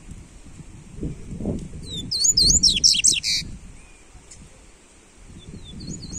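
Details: Coleiro singing for warming up a caged papa-capim: a brief rapid run of high twisting whistles mid-recording, a few faint whistles near the end, over steady low background noise.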